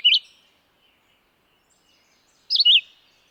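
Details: Red-eyed vireo song: two short, clear whistled phrases about two and a half seconds apart, the first a brief rising-falling note, the second a quick up-and-down slurred phrase, with near silence between them.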